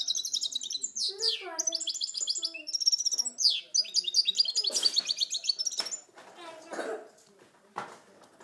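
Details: Goldfinch × canary hybrid, recorded in 2010, gives a rich, rapid song of high chirps, rolling trills and sweeping slurred notes. It breaks off into scattered clatter and a few soft noises near the end.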